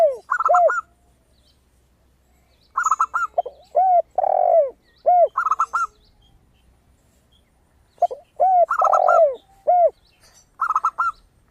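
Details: Zebra dove in full song, a lure recording meant to prompt other doves to sing: bursts of quick, clear, high staccato coo notes recurring every few seconds, mixed with deeper arched coos of a spotted dove, quiet between phrases.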